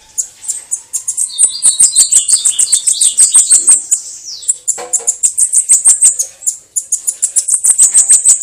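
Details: Bananaquit "canto de foguear" song: loud, high, thin notes pulsing about three times a second, with lower twittery phrases and a descending slurred note in the middle.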